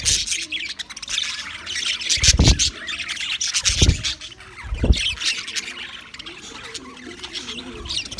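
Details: Australian English budgies on February 14, 2024, mixing harsh squawks with steady high twittering, broken by three dull thuds, and fading to quieter chatter.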